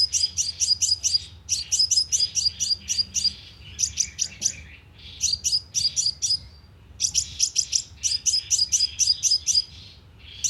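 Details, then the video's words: Sunbird lure call used with a speaker trap to draw birds in: four fast runs of piercing, high chips, each run about a second or more long and separated by brief gaps. "TIẾNG CHIM 🐤HÚT MẬT MỒI CỰC SUNG DÙNG BẪY LOA 📣KÍCH CHIM"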